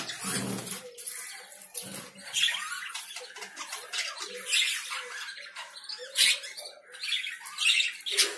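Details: Steady, lively lovebird chatter of harsh, high squawks and twitters, somewhat softer, with a brief lower buzzy note at the start.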